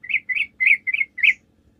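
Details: Sooty-headed bulbul lure song for drawing answers from other bulbuls: five rich, warbling whistled notes delivered at an even pace, each slightly rising, with a quiet low hum beneath.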